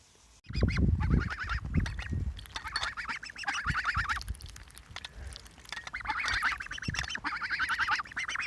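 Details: Pet geese, three in the group, giving a chorus of rapid, overlapping nasal honks in long bouts, with thumps and rustling noise close by.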